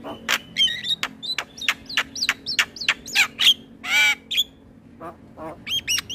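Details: Male black-winged starling lure song for training birds: rapid mixed clicks, short whistled upslurs and harsh notes, with a loud rasping burst near the end.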